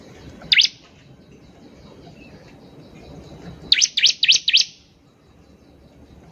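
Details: Vigorous bar-winged prinia song meant to trigger singing in other birds: isolated sharp chirps, then a tight run of four high, slurred notes, with quiet murmuring background between them.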